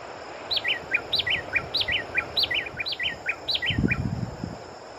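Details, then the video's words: Long-billed wren delivers repeated bright whistled phrases, each a quick high note followed by two lower ones, cycling about once a second against a noisy hiss with low rumbles. "Canto pássaro Garrinchão-de-bico-grande (Cantorchilus longirostris)"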